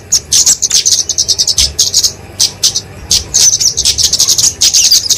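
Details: Fighting song of the kemade, a small Dicaeum flowerpecker, for tutoring and luring songbirds: irregular volleys of very high, sharp ticks and twitters, some spaced, then quickening into a sustained chatter.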